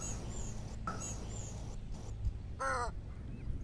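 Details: American white ibis giving a single short, harsh, nasal honk with a rich harmonic tone, set against steady low rumbling background noise and faint thin high whistles from other birds.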